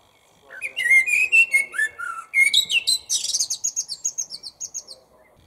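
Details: Lunchtime song of a common blackbird perched nearby in a small parking-lot tree: low melodious whistles sliding downward, then a long run of rapid, high, rhythmic twittering notes fading away.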